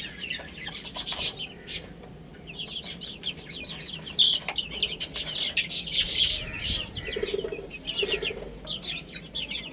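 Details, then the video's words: ['Little chicks eating and playing. Busy overlapping high chirps run throughout, with pecking clicks, a quiet pause near the second second, and two short, low, buzzy notes later.'] "Cute Little Chicks Chirping Sounds | Beautiful Baby Hen Eating and Playing"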